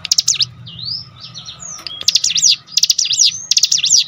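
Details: Cinereous tit song meant as a lure to set other cinereous tits singing: a quick burst of sharp high notes, then slurred rising and falling whistles, then three more rapid chattering bursts, over a faint hum.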